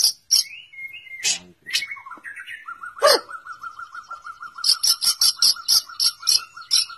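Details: White-rumped shama (murai batu) song with sharp, explosive clicks and high chips, then a long sustained whistle broken by a fast stutter, followed by a burst of regularly repeated high clicking notes.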